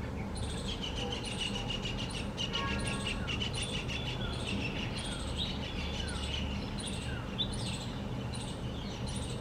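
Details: A bulbul, recorded on 17 November, gives bright, bubbling chirps and short descending whistles, repeated every second or so, over a steady low rumble of traffic or wind.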